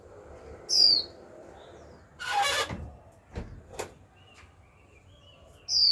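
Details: Young female Japanese white-eye in captivity calling to trigger male song: a high, down-slurred whistle opens and another closes, with a loud rattling clatter and a few knocks in between.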